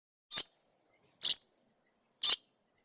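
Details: A Dusky lory gives three harsh, high screeches, each short and rasping, spaced about a second apart against a quiet background.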